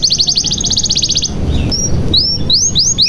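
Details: Canary singing, used as a lure to get silent or young canaries to sing: a fast, even trill of bright high notes, then a few separate rising whistled notes over a low background hum.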